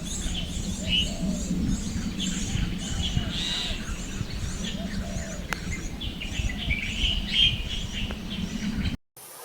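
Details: Nestling Chestnut-tailed starlings being raised in a tree hollow keep up a scratchy chorus of high, thin chirps, overlapping and repeated every fraction of a second, over a steady low rumble.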